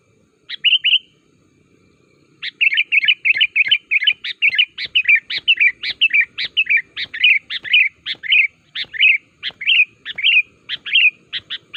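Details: Sooty-headed bulbul call used as a lure so wild or kept bulbuls answer and join in: a brief bubbly note, a pause, then a steady run of short sharp chirps alternating with warbled bubbly phrases, repeated without break.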